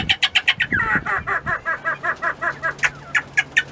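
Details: Penned mountain quail feeding on treats: a run of quick, repeated, slightly buzzy downslurred notes mixed with sharp tapping clicks.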